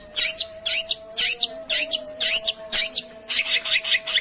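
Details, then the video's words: Long-tailed shrike sound used as a lure to prompt a silent bird to sing: harsh, scratchy notes repeated about twice per second in a steady series, over a faint constant low hum. "suara pancingan burung pentet macet/malas bunyi di jamin langsung nyaut!!"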